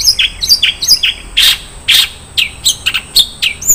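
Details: Long-tailed shrike singing in the isian mewah (rich fill) style: varied sharp high chirps and short descending whistles, some broader harsh notes, delivered in quick irregular bursts without pause.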